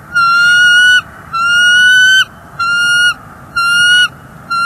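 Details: Bald eagle female on a NEFL nest, January 30, 2024, complaining about an intruder eagle: four long, loud, strained whistled notes in quick succession, about one per second, the second slightly rising, a fifth just beginning.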